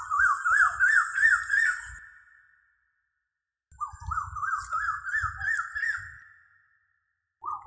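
Asian koel giving two bursts of quick, wavering whistled notes that climb in pitch over about two seconds, with a pause between bursts and a third starting.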